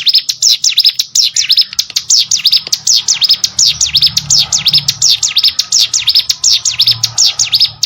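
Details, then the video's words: Hill Prinia singing, recorded as training material for contest songbirds: an unbroken, fast train of high, sharp dipping chirps, roughly two per second overall, loud and clear over a faint low hum. "CIGUN ATAU PRENJAK GUNUNG!!! MASTERAN UNTUK BURUNG LOMBA"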